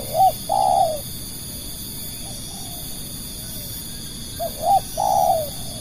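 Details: Lure spotted dove kept to attract other doves, repeating its low coo: a short note and a long rough coo, soft murmured notes, then two quick hooked notes and another drawn-out coo, with a steady shrill tone behind.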